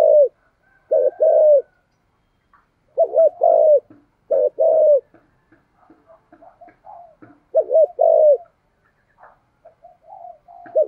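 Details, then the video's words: Caged decoy spotted dove in the 'giọng thổ' voice style, used to provoke wild doves, giving three hollow cooing phrases of paired short coos and a long falling coo, with faint softer coos between phrases. "Chim Cu Mồi - cu gáy giọng thổ kích bổi rất hiệu quả"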